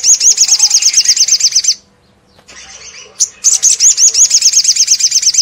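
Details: Continuous ngleper song of an olive-backed sunbird, meant to make rival sunbirds respond: two long, very high, rapidly pulsing trills separated by a short pause with softer twittering.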